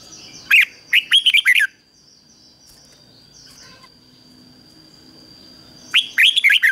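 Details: Red-whiskered bulbul kept as a decoy to lure wild bulbuls for fighting, singing two quick, jaunty phrases of five or six liquid whistles roughly five seconds apart, with faint notes between and a steady high tone behind.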